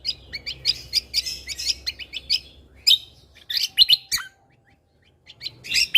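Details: Lesser green leafbird singing continuously for cage-bird tutoring, shot-like fill style: rapid strings of sharp, high chirps and clipped whistles, a short silence near the end, then a final loud burst.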